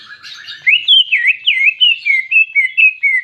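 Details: Greater green leafbird imitating a canary: soft chatter, then a series of loud, fluid whistled notes that rise, dip and waver, repeated about three times per second.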